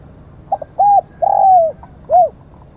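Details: Cooing of a Spotted dove kept as a decoy for luring wild birds in Thailand: a soft stutter, then an arched coo and a long sliding coo that falls at the end, closed by a short rounded note.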